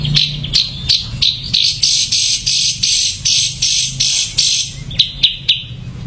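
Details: Ashy drongo giving harsh, scratchy, high notes, repeated roughly three times a second in a steady run, then a few quicker chips.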